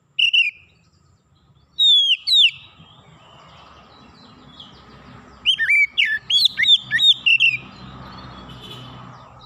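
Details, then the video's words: Oriental magpie-robin calling for a therapy recording: a single whistle, then two sharp downward-sliding notes, a pause, and a fast run of about ten bright chirping whistles, over steady low background hum. "kicauan terapi Kacer memanggil"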